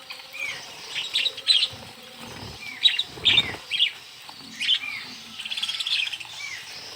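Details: Several budgies in a small aviary calling during hand feeding. Busy high chirps and short warbled notes repeat throughout, with brief rising whistles between the louder bursts.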